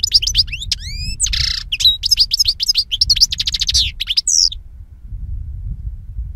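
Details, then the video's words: A European goldfinch (Carduelis carduelis) sings a rapid, tinkling jumble of high twitters, liquid notes and buzzy trills for about five seconds, with a low background rumble. "Jilguero Europeo Cantando - European Goldfinch Singing"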